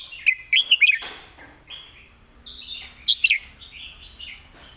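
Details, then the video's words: Red-whiskered bulbul in a cage sings a teaching master song: an opening burst of four loud bubbly whistles, a soft rambling warble, then two more bright notes and quiet chatter. "นกกรงหัวจุก เสียงดี เพลงแม่บทชัดๆ(ไว้สอนนก)"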